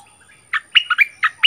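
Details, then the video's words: Bulbul dueling in song with a resident territory holder: one quick phrase of five or six loud, liquid notes, slurred and partly whistled, lasting about a second. "เสียงนกดอกแตงEp.30 คืนถิ่นเก่า!!ดวลเพลงเบิ้ลกับเจ้าถิ่น"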